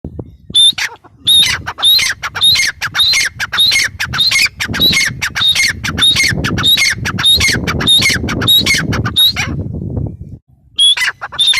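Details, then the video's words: Grey francolin giving a loud, harsh, squawking call, shrill notes repeated about twice a second in a rapid series for nine seconds, a brief pause, then the series resumes over a low background rumble. "Teetar ki awaz | gray paryridge sound | francolin voice"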